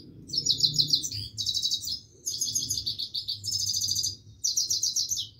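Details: Continuous song of a Himalayan goldfinch: five bright, high-pitched twittering phrases of rapid trills and liquid notes, each about a second long and separated by short gaps, over a faint low hum.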